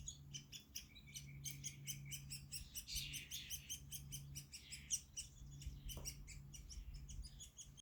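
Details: Woodpecker chick looking out at the world and taking a snack, giving rapid series of short, sharp, high chirps, many overlapping and unevenly spaced, over a steady low hum, with one brief louder click midway.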